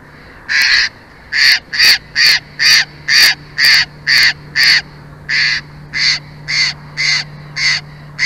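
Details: Bald eagle from a pair nesting in Big Bear Valley calling in a long chattering run of about fifteen high, harmonic piping notes, roughly two per second, with slight pauses between bursts, over a low constant hum.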